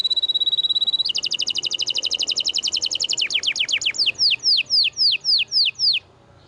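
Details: Canary masteran song, vigorous filling material for silent canaries: a thin level trill jumps into a long fast pulsing trill of about eight notes a second, which slows into evenly spaced down-slurred whistles before falling quiet.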